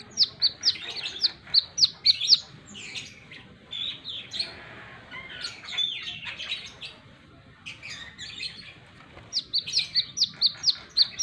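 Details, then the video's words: Energetic wiceh song from a plain-throated sunbird: a fast series of about ten shrill, clipped chips, a middle passage of scratchy twittering, then another quick run of high piercing notes. "Burung Kolibri Kelapa | Wiceh Gacor!!!"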